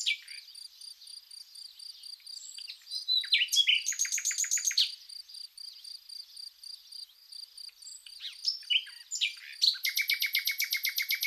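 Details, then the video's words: A common nightingale sings varied phrases with fast rattling runs of about four notes a second, over a cricket's steady high trill, in spring among wildflowers in Zagorochoria, Epirus, Greece. "Amazing nightingale & cricket song"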